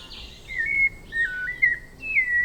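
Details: White-necked thrush from the forests of Brazil singing a series of clear, slurred whistled phrases, some rising and some falling, with short gaps between them over a faint background hiss.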